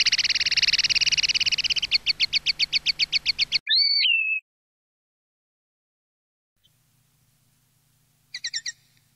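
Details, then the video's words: Campero-style common linnet song for tutoring young birds: a fast chattering trill that slows into distinct repeated notes, then a twisting whistled note, a long silence, and a short burst of twittering at the end. "NUEVO CD CAMPERO PARA EDUCAR PARDILLOS 2020/2021"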